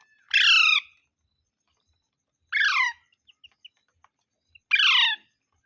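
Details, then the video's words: Harsh parrot screeches, three in total, each about half a second long and falling in pitch, spaced around two seconds apart, with tiny chirps in between. "Mitthu Mitthu Parrot Sounds | मिट्ठू मिट्ठू |Funny parrot sound"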